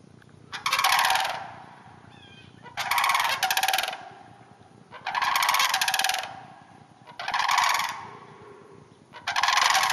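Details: Sandhill cranes in a neighbouring hayfield north of the Twin Cities keep up a series of five resonant, rattling trumpet calls, roughly every two seconds, over faint low background noise.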